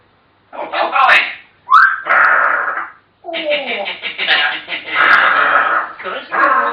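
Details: African grey parrots talking, a run of harsh speech-like phrases with brief squeaky notes, separated by short pauses.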